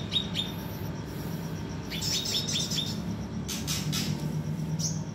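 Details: Kinoi bird: a thin high chirp at the start, then a run of five quick chirps a little past midway, over constant low background noise.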